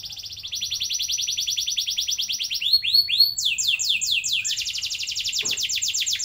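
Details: Continuous canary roll song for training young canaries: unbroken fast trills that shift from one tour to the next, including slower swooping notes midway, with no pauses.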